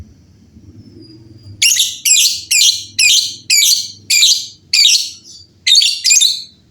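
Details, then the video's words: Lovebirds calling back and forth noisily. After a second and a half of quiet, harsh, buzzy, scratchy bursts repeat about twice a second in a fast, uneven run of short chattering phrases. "LOVEBIRD GACOR GAYA MEWAH SEMUA LOVEBIRD JADI BUNYI RIBUT BERSAUTAN"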